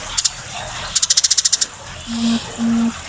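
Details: Very tame Eurasian tree sparrow chattering lively: two high thin chirps, then a fast run of about nine sharp ticking notes, followed by two short low steady hums near the end.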